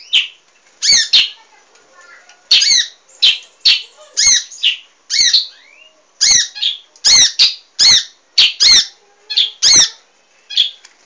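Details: Munia (emprit) in active song for a cage-bird training recording: a long series of sharp, nasal, squeaky chirps, often in pairs, repeated steadily for about eleven seconds with short gaps.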